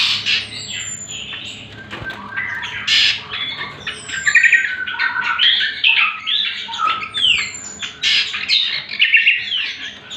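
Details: Greater green leafbird singing as a lure and tutor for other birds: fast, varied jumble of squawks, chirps, downward whistles and trills, nearly continuous over ten seconds, with a faint hum.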